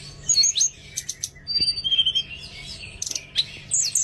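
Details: Oriental magpie-robin song meant to coax reluctant birds into singing: bright whistles, a held clear note, trilled chirps and sharp sweeping calls delivered in quick succession.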